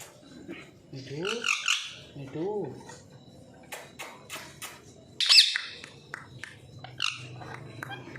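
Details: Pet parrots, four kept at home for two years, two of them talking clearly; wavering, voice-like harmonic squawks, then a sharp high screech and scattered clicks, with a person speaking nearby.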